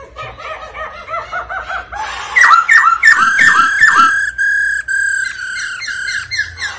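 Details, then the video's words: Black-throated laughingthrush (khướu Bạc Má) singing: quick repeated whistled notes, about three a second, building into loud, rich, slurred whistles and a few harsher ringing notes, described as song with female-like "ro ro" notes to stimulate singing. "Chim khướu Bạc Má hót múa tiếng mái ro ro kích tróng"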